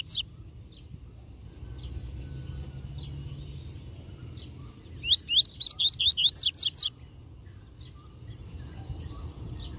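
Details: Master rusty-collared seedeater delivering Tui Tui Zel Zel song for tutoring: a burst of about nine sharp, upslurred high whistles in under two seconds, preceded and followed by faint scattered chirps and a low steady hum.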